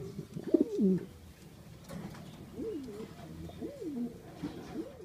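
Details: Fancy pigeons bred for contests in a loft at Lawang, Malang: a loud burst of coo near the start, then a string of softer, wavering rolling coos repeating through the remaining seconds, with low indoor background noise.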